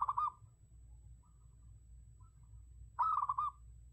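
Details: Decoy call of a zebra dove: a brief fast-trilled cooing phrase at the start and a second rolling burst of staccato coos after three seconds, with soft low hum underneath.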